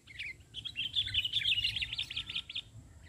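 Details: Lured during a trapping attempt, a sooty-headed bulbul sings on the ground rather than perched. It gives a rapid, continuous chatter of sharp, bright chirps over a faint low hum.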